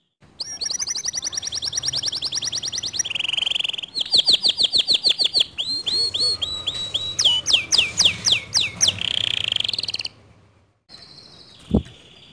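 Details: Canary song said to provoke rival canaries into song: long fast high trill, a buzzy section, rolling repeated notes and upslurred sweeps, a short pause, then a brief buzz.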